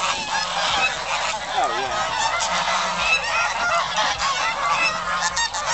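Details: Geese at Shields Lake, Richmond, Virginia, calling together in a loud unbroken din of overlapping nasal honks, with a few clearer rising honks standing out.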